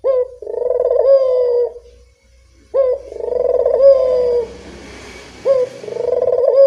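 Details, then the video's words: Barbary dove cooing in the evening, a call played as a lure to prompt reluctant doves to coo: a short rising note then a long rolling, purring coo, repeated about every two and a half seconds, with a brief hiss midway. "Suara burung puter senja hari pemikat burung puter malas bunyi"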